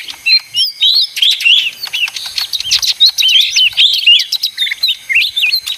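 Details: A busy song from a mini leafbird (ijo daun): fast chattering phrases of slurred, rising and falling whistles and sharp chirps, delivered in rapid bursts about every quarter second.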